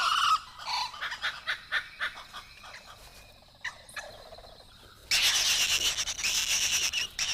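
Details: A nesting pair of blue-winged kookaburras in an old gum tree by a billabong in Kakadu, far northern Australia, give territorial dawn-chorus calls: a harsh, gobbling cackle of rasping notes, about two a second, swelling into a raucous burst.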